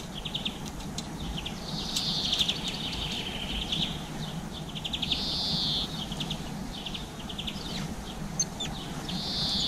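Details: Garden birds eating seeds, among them black-capped chickadee, blue tit and greenfinch, evening GoPro recording from April 2020; quick ticking trills mixed with drawn-out buzzy wheezes and sharp chirps over steady ambient hiss.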